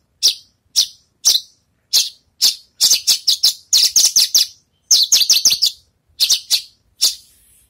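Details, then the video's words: After its moult, a Javan bush lark practises singing: spaced high chirps build into fast runs of clipped, bright notes, then slow again to separate calls. "branjangan selesai mabung latih bongkar lagu"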